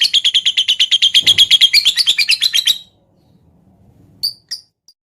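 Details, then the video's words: Lovebird's 'ngetik' typing-style song, meant to spur other lovebirds to sing: a quick, evenly pulsed burst of high chattering notes for almost three seconds, then near silence broken by two sharp chirps. "Pancingan Lovebird Full Ngetik Jeda Rapat Untuk Memancing Burung Agar Cepat Panas"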